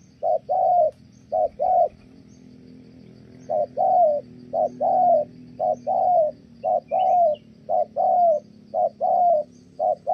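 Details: Good-voiced spotted dove from Kon Tum, Vietnam, a trapping bird, in Thổ-style cooing: two paired hoots, a two-second pause, then a steady series of short-long coo pairs.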